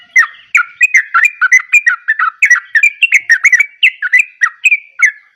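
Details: Yellow-vented bulbul singing vigorously, described as gacor: a fast, bubbly chatter of short liquid notes, about three per second, with wavering, gurgling phrases that run on without pause and no other sounds.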